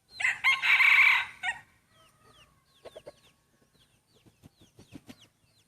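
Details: Loud, raspy crow from a breeding rooster competing in its first crowing contest opens the recording, about one and a half seconds long, followed by quiet, rapid, descending chirps of small birds.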